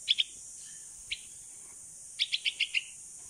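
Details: Baby bulbul, a 16-day-old nestling saved from a cat and raised by hand, calling to its mother while learning to fly outdoors; sharp high chirps, a pair, a single note, then a rapid run of five, in quiet surroundings.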